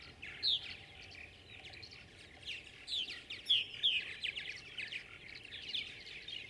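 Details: Tree swallows crowd around nest boxes, competing for them. They give faint, high, liquid chirps and twitters in quick, scattered bursts over a steady low rumble of background noise.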